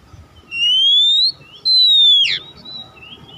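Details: Kacer, or Oriental magpie-robin, whistling as a lure to stir other birds into song. Two long pure whistles: the first rises steadily, and the second holds level before plunging in a steep downward sweep, followed by a soft short note.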